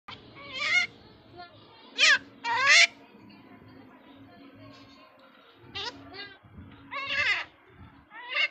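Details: A pet common myna being taught to talk gives harsh, rasping bursts and warbled, speech-like phrases in short clusters with pauses, while a person calls to it; faint room hum underneath.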